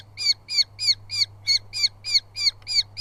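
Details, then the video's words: Two Eurasian hobby chicks at a live nest in southern UK fight over food as the father brings moths, giving harsh, high, rasping calls, about three a second in a steady run, over a low hum. "2 CHICKS VIDEO FOOD FIGHTS"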